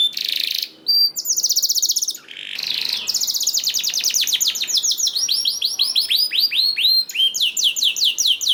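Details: Canary singing as a prompt for other canaries: opens with a few buzzy, harsh notes and short gaps, then settles into long rolls of repeated slurred whistles at a brisk, even pace.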